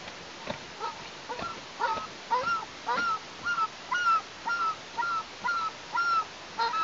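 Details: Two Eastern imperial eaglet sisters, 59 and 57 days old, at their nest in Tatarstan on the morning of 19 July 2023, giving short, slightly hoarse yelping notes, about two a second in a steady run, over a soft background hiss.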